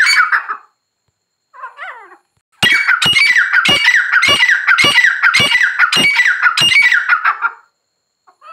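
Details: A few soft, wavering grey francolin notes, then a loud five-second run of harsh, rhythmic ringing phrases repeated rapidly before stopping.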